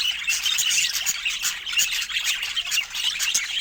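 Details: Budgerigar chatter: grating squawks mixed with thin, high chirps in a busy unbroken stream.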